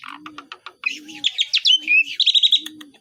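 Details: Chattering Asian pied starling song in besetan style with imitations: a run of clicks builds into dense whistled trills and warbles, over steady low coos roughly every half second.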